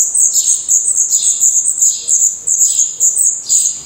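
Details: A nest of black redstart chicks in Portugal, eyes open and feathers growing, keeps up a steady high-pitched hiss, with a falling squeaky note roughly every half second.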